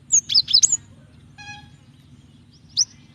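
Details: Female cinereous tit calling for the male to provoke song: a quick cluster of four high, sharp, slurred chirps, a brief soft tonal note, then a single bright chirp near the end.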